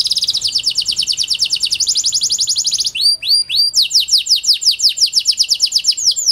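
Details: ['Panda canary song, used to prompt silent canaries into singing: rapid high rolls of repeated notes, then a series of sharp downslurred chirps repeated about three per second.']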